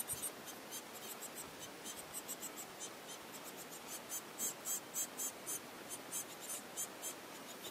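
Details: Orphaned young Eurasian blue tits, whose parents were probably killed by a cat, now hand-fed flies, beg with very high, thin, squeaky calls in uneven bursts several times a second, over soft background hiss.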